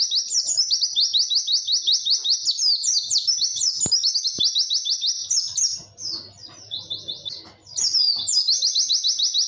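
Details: White-eye singing a long, clear witwit song: very high, fast twittering made of rapid chirps strung into long runs, with brief pauses between runs and a few faint clicks.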